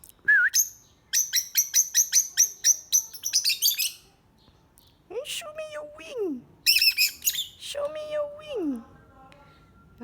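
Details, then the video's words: Parrots making noise: a rapid run of about a dozen high buzzy chirps, then two long nasal descending harmonic squawks, each ending in a downward slide, with scattered sharp chips between. "birds making noise"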